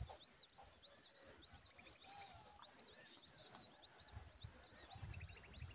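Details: Hungry common babbler chick taking a worm from a parent: steady, very high, down-curving squeaky chirps in clustered bursts, with a few faint buzzy notes in the background.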